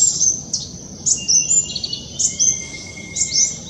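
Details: Black-throated sunbird (Aethopyga saturata) calling excitedly from a wire gives very high, sharp chips in short bursts every half second to second, over a faint steady whine.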